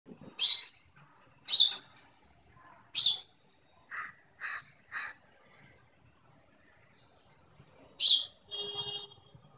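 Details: Indian sparrow chirping in the morning, recorded on a phone: loud, sharp chirps roughly every one to one and a half seconds, then a run of three lower, softer notes, a pause, and one more sharp chirp with a thin trailing buzz.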